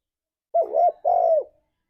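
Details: Two-note coo of a spotted dove, ngalas style, for prompting pet doves to sing: a dipping, wavering first note followed after a brief gap by a long smooth one that drops at the end.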